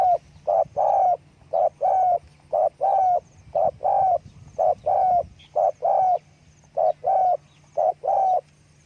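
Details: Spotted dove calling while flapping its wings: a steady run of deep, rounded coo notes, short ones and drawn-out ones mixed, around one per second throughout, with a quiet background.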